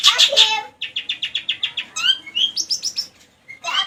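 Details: A long-tailed shrike mimics a lovebird with a quick series of dry, high chips, then a few rising whistles and squeaky notes, ending after a short pause with another harsh burst.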